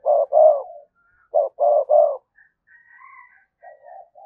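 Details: Lure spotted dove cooing insistently to draw a response: a run of loud, punchy coos, then quieter murmured notes, with a faint thin whistle above in the background.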